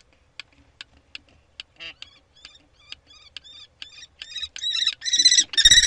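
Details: Calls of a common kestrel at a prey transfer, 3 May 2013: sparse thin clicks speed up into a quickening series of short notes, ending in loud, rasping, harmonic screeches.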